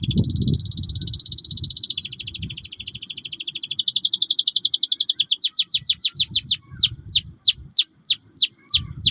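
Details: Orange Loper-series canary singing vigorously in the clear roll and tembak style: a long, fast, high buzzing trill that breaks into rapid repeated down-slurred whistles, with low thumping noises underneath.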